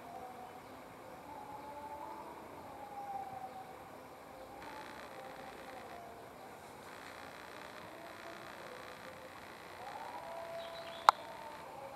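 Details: A faint, wavering distant siren over low traffic hum, with a single sharp click near the end and no animal voices.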